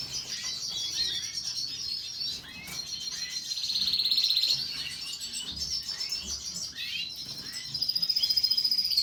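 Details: Canary singing a long continuous high song of fast twittering trills and rolls, with a sustained rapid trill near the middle and another at the end, over faint background hiss.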